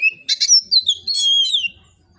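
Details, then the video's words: Oriental magpie-robin singing loudly and freely in a relaxed, steady way, used to provoke other magpie-robins into singing. Short buzzy notes, then a rising whistle that sweeps into a long, slightly falling whistled phrase with quick slurred turns. "kacer gacor ngeplong santai, sangat cocok memancing kacer lain bunyi dan gacor"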